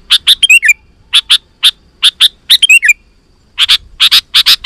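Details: Sooty-headed bulbul singing vigorously for luring wild birds: paired sharp chirps and short slurred twitters, then a pause before a final rapid string of loud clipped notes.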